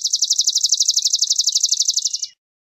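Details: Swamp sparrow song, a rapid, bright trill of evenly spaced high notes, roughly fifteen per second, ending abruptly after just over two seconds, with quiet background.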